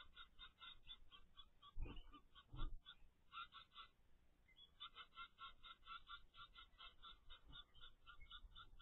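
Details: Ten-day-old captive zebra finch chicks from a first clutch give a rapid, continuous stream of harsh, rasping begging notes.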